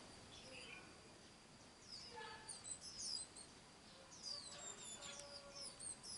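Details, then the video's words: White-eye parents feeding their chicks. Many thin, very high chirps overlap in quick, uneven bursts, with some lower squeaky notes and a steady high insect whine behind them. "Chim Vành Khuyên Bố Mẹ Vất Vả Nuôi Con"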